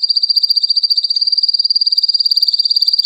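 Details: Belgian canary holding one high, very rapid and even trill at a steady pitch for the whole stretch, about three pulses per second in loudness, nothing else audible.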